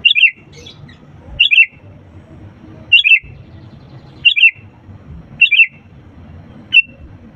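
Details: Loud, chattering sooty-headed bulbul whose song serves as a lure to make quiet birds sing: five bubbly, descending three-note phrases about 1.3 seconds apart, then a single short note, above a low murmur.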